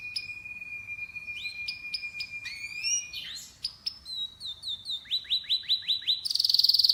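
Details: Canary song with a long steady whistled note, then rising slurred notes, a rapid series of repeated upward-flicking chirps about four per second, ending in a loud buzzy high trill.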